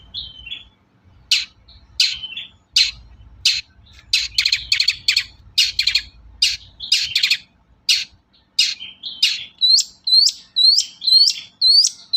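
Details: Long-tailed shrike singing, a lure for shrikes that sing little: sharp, clipped notes at about two per second, then a run of rising, whistled upslurs repeated evenly toward the end.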